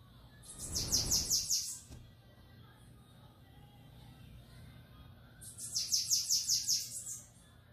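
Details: Bananaquit singing the song style called Belga: two bursts of rapid, very high, thin notes, each of about eight quick descending slurs lasting just over a second, separated by a pause of several seconds, with a low thump and faint background hiss.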